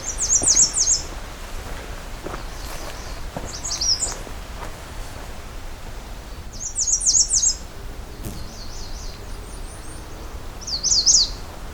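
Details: American Redstarts, a couple present, one a male, on a trail hike back to the trailhead at Pine Tree Harbour; high, thin buzzy song phrases repeated every few seconds over steady background noise.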